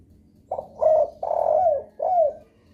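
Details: Low husky coo phrase from a spotted dove used as a lure for other doves: a brief opening note, a second coo, a long sustained note and a drooping final note.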